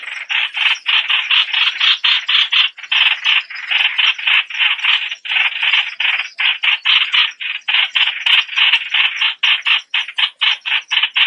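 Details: Streak-eared Bulbul producing a long, fast stream of grating notes, nearly continuous, with brief dips between clusters and faint high chirps behind.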